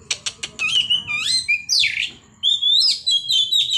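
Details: White-rumped shama song opening with sharp clicking notes, then flowing whistled slurs, a harsh rasping note, and bright rising and falling whistles after a brief pause.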